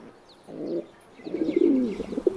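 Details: Feral pigeon cooing low and throaty, a short coo followed by a longer rolling phrase, with faint high chirps of small birds in the background.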